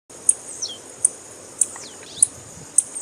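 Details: Female blue-black grassquit (tiziu) calling, used by breeders to stimulate males for tournaments: sharp, very high chirps repeated about every half second, with faint descending whistled slurs between them.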